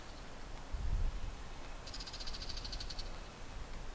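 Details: Two male bull-headed shrikes, perched on a rooftop TV antenna and a treetop in Japan in early July, call to each other in a quick burst of high, harsh, rapidly repeated notes over low rumble and a brief thump; possibly a territorial dispute or a warning call at the observer.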